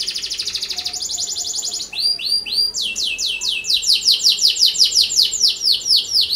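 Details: Vigorous canary song meant to trigger other canaries: a rapid buzzy trill steps up to a higher trill, then gives way to loud rising-and-falling swept notes repeated about twice a second.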